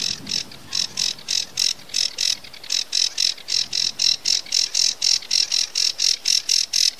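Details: Sedge warbler song, a training burst of rapid buzzy notes repeated about four times a second in a steady, mechanical-sounding rattle, high-pitched with no other sounds.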